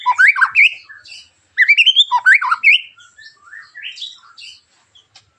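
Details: Harsh, sharp white-rumped shama song intended to spark singing in other shamas: two bursts of fast rising, slurred chirps, then quieter scattered whistled notes.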